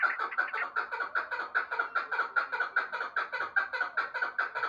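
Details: Chukar partridge call: loud, grating chuck-chuck notes in a regular pulsing series, about two and a half per second, held throughout without pause.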